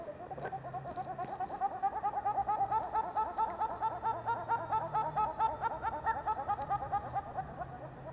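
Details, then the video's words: Little grebe giving a long, rapid whinnying trill of fast repeated tonal notes that swell and fade for about eight seconds, the notes somewhat high and harmonic-rich, with no other clear sounds. "カイツブリの鳴き声など Little Grebe Call and other Il verso del tuffetto"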